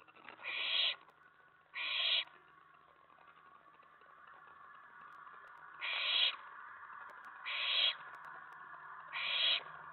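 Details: Owlet in a nest box, late evening of May 19 2017, excited by an owl arriving on the tray after a mouse was delivered; five short, breathy screeches, two close together, then a long gap and three more.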